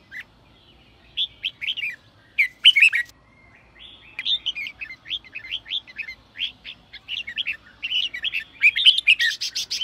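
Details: A red-whiskered bulbul delivers the sổ bọng song style, meant to provoke newly trapped birds to sing. Short chirps first, then a long, fast, near-continuous chain of lilting notes. Harsh, sharp accents punctuate it.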